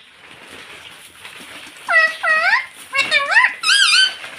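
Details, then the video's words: Pet rose-ringed parakeet talking, saying "mummy papa": four distinct voiced syllables with bending, rising pitch after a quiet background hiss. "mummy papa bolne wala tota"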